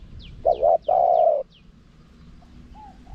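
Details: Spotted dove karam song, small voice, with khat and nun, meant to draw wild doves in. A single phrase: a clipped double coo, then one long steady coo. After it comes quiet, with faint high chirps of other birds.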